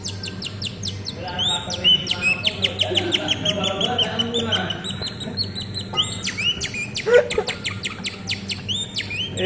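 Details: Vigorously singing canary pours out rapid buzzy trills, bursts of quick repeated notes and brief pure whistles in an unbroken stream, over a constant low background hum.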